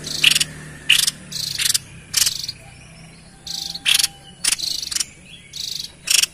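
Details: White-chested babbler sounding off energetically, a recording for luring wild birds: scratchy buzzing bursts, high-pitched and stacked in short uneven runs with small gaps.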